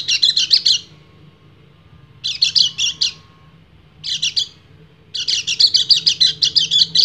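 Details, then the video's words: A male white-eye sings in separate bursts of quick chattering notes, about one second each with pauses between, before a longer final run, calling to a female ready to breed. "PLECI GACOR NGEBREN - KECIAL KUNING BIRAHI MEMANGGIL BETINA"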